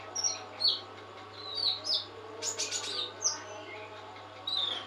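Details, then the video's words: Trotol, a kept songbird, singing at its best while fed nectar: brief high whistled phrases and sharp chirps with pauses between them, over a steady low hum. "Trotol gacor nektar racian sendiri"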